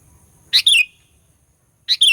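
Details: Sooty-headed bulbul sound used to provoke rival birds: two quick double notes about one and a half seconds apart, each a rough burst followed by a bright, falling whistle.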